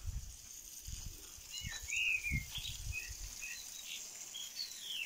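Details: In a corral, a bird sings short, high chirps and slurred whistles at an uneven pace, over a steady high hiss, low thumps and handling noise.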